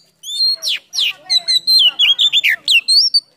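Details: Loud, clear song of an Oriental magpie-robin (kacer) singing a full song with its tail fanned in a cobra-like posture. Sweet whistled and downslurred notes follow in a fast, varied string, roughly four per second, with short gaps.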